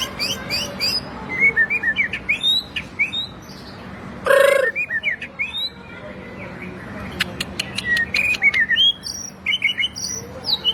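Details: Captive white-rumped shama singing for training other birds, a mix of quick high chirps and twittering notes, interrupted midway by one loud short harsh burst, then resuming with clicks and rapid notes.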